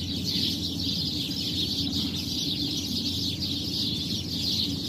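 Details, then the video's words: Many birds perched together in a tree, calling at once in the early morning while it is still dark; a steady, dense high chirping chorus runs without pause over a constant low background hum. "napakadami mong nadidinig na huni ng mga ibon"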